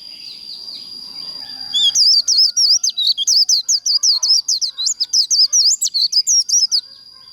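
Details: White-eye singing líu-style contest song meant to stir other birds: after soft background chatter, a dense burst of quick, squeaky whistled notes runs for five seconds, each note swooping up and down, over a constant thin high tone.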